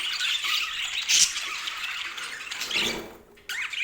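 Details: Budgerigars chattering in high, scratchy squeaks and warbles; a short squeal near the middle, the sound dipping briefly before resuming.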